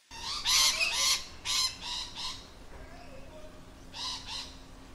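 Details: Lorikeets in their natural habitat give harsh, grating screeches in quick bursts of two or three with pauses between, shrill and piercing, over a faint steady hum.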